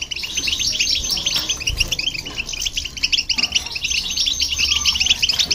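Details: Goldfinch with hybrid bird, song played to stir up other birds; dense chattering twitter of high, quick notes running steadily throughout.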